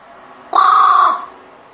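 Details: An excited kept crow, playing with a toy grip on 12 May 2019, lets out a lone harsh caw, hoarse and level in pitch, about half a second long, over a soft background hum.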